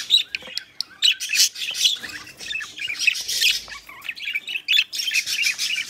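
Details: Budgerigars owned as pets, while mating, give harsh squawky chatter and clicking warbles after a few isolated ticks at the start, then loud uneven bursts with brief pauses.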